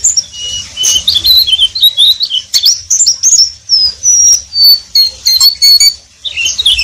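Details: Pleci, the Oriental white-eye, delivering a ngeriwik song: fast, high, sweet twittering with bright whistled slurs and some longer thin level whistles in the middle, repeated in close phrases.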